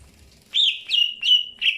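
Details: Greater green leafbird during early pairing: four short, loud whistled notes, each starting with a sharp upstroke and holding a steady mid-high pitch, about one every third of a second.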